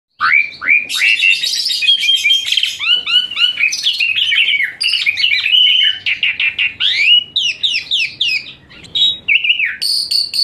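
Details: Asian pied starling song used as a training recording for other songbirds: a fast, varied run of loud whistles, rising sweeps, chirps and harsh rasping notes, packed densely with short pauses, high and shrill throughout.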